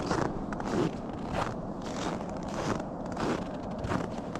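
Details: Footsteps crunch at a steady walking pace along a path in Carburn Park, Calgary, over a low rumble of distant traffic. No animal calls stand out.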